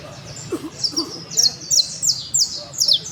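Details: Criollo canary singing: high, thin, rapid trilled phrases with short sliding notes repeated several times a second, over a low background murmur.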